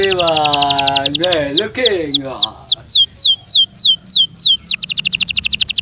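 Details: Caged pet canary singing a loud, varied song: rapid high trill of repeated notes, then lower warbled harmonic phrases, a string of descending high whistled sweeps about four a second, ending in another fast trill.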